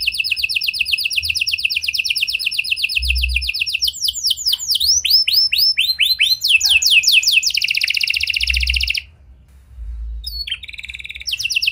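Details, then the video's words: Vigorously singing canary in a unique style, used to make silent canaries respond: extended rapid rolling trills and swooping descending sweeps, a brief pause, then the trilling resumes. "Buat Kenari Macet Anda Respon Dengan Suara Pancingan Kenari Gacor Ini! Kenari Gacor Cengkok Unik"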